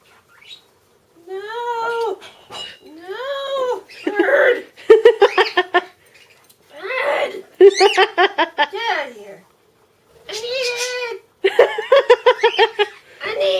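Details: Pet male cockatiel begging indoors for cereal with a whiny call he developed himself, not a normal cockatiel sound: drawn-out nasal arching whines alternating with rapid stuttering pulsed bursts, given in bouts separated by short pauses.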